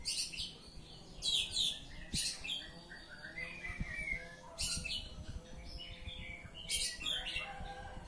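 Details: Oriental magpie-robin in full ngeplong song, loud rasping bursts repeated about every one to two seconds, interspersed with thin whistled slurs and quieter twittering between phrases.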